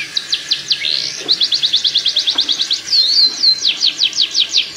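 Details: Breeding song of a canary aimed at quicker pairing: rhythmic series of high sweeping notes, a short rising slur, more even rapid notes, then twisting whistles and a fast trill, with faint thumps.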